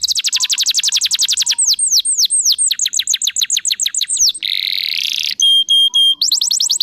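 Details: Canary song used as a lure to prompt other canaries: a rapid high trill gives way to hooked descending whistles and quick chirps, then a harsh buzz, a few steady pure whistled notes and another fast trill.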